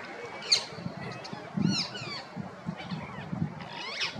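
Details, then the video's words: Female rose-ringed parakeet gives scattered sharp, arched squawks, some brief and some drawn out, against a steady low hum of background noise. "Female Parrot Chirping Sounds, Natural Parrot Sounds, Parrot Calling"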